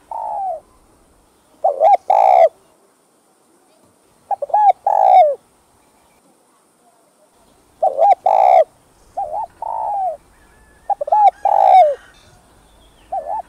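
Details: Repeated spotted dove song used to excite wild doves, in calling, urging and bowing styles: about five phrases, roughly every two to three seconds. Each has clipped lead-in hoots and an emphatic sustained coo.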